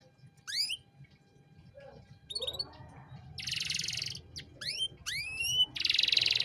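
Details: Canary song used as a master recording for training young songbirds: scattered rising whistled sweeps and short buzzy rattling trills separated by pauses, with a low background hum.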